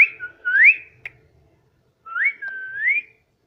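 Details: Talking pet parrot indoors, said to repeat "mummy" and "papa": two clear whistled phrases, each a short steady tone followed by a rising slur, separated by a second of silence, with a faint click between them.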